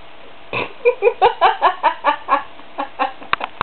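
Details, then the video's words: A pet bird snoring while asleep on top of its owner: about ten short, nasal, rhythmic grunting pulses at a steady pace, ending with two sharp clicks. "Snoring Bird"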